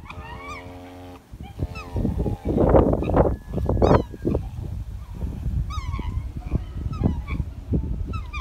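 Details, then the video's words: Black Trumpeter Swans, a pair including a male, call to nearby New Guinea Singing Dogs with deep, nasal, trumpeting honks, loud and irregular, mixed with higher yelping notes possibly from the dogs. "Black Trumpeter Swans Talking To The New Guinea Singing Dogs"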